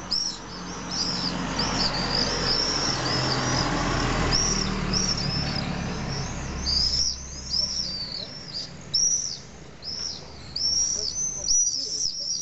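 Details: Common swifts roosting at a wall nesting colony in Nice, France, on 15 July in the evening; high shrill screams repeated irregularly through the recording over a low rumbling background.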